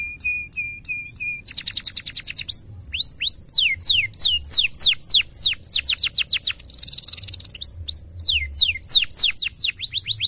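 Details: Canary song opening with a steady high whistled note, then fast descending whistled trills and buzzy rolling phrases in quick succession, energetic and continuous throughout.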